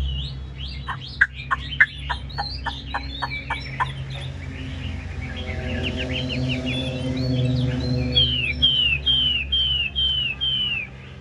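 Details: Caged Chinese hwamei rattles off a fast chain of clicking notes, then pours out a rich warbled song ending in repeated bright whistled slurs. Music plays underneath.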